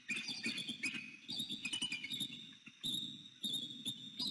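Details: Bald eagle pair at their nest in northeast Florida on 6 November 2019, around dawn: the male arrives calling, and the female flies in greeting loudly before they mate. High, thin chittering and piping notes in rising and falling bursts, over low wind rumble.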